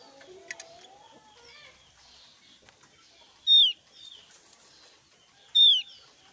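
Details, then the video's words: Javan grey-throated white-eye giving loud song notes: two strong, high whistles that slide steeply downward, about two seconds apart, over faint scattered chirps and soft lower notes at the start. "suara keras burung opior jawa gacor"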